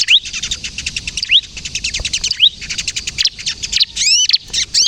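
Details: Bar-winged prinia (ciblek kristal) singing steadily, a song used for luring and to prompt other prinias to sing; fast, dense high-pitched chattering notes broken by repeated sharp rising whistles and a few downslurred flourishes near the end.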